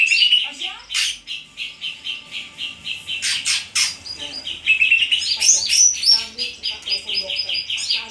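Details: Song of a greater green leafbird: a long fast stream of chattering notes and whistled slurs, broken by a few harsh broadband squawks, then bright high whistles and quicker warbled repeats.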